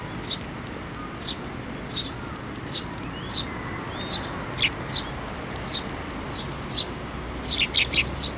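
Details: Sparrows, including the season's first fledgling, gather to be fed at a Japanese Tenmangu shrine on 7 May 2024. Sharp, high chirps repeat roughly every half second to second, ending in a quick cluster of three, against a noisy low background.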